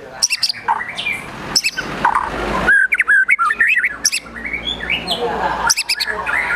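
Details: Excited White-rumped shama song mixing harsh, grating besetan sounds with brief whistled slurs and sharp clicking bursts, over a faint steady background hiss.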